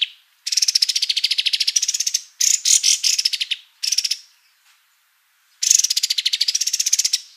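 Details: Energetic kapas tembak white-eye song meant as a tutor for other birds: several bursts of rapid, high, rattling trills, some wavering up and down, separated by brief silences.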